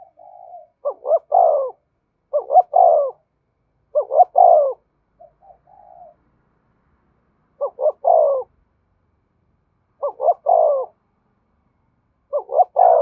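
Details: Urging coo of a spotted dove, used to excite decoy birds and train lure birds: six phrases of two quick rising hoots and a falling longer coo, with a few softer cooing notes in between.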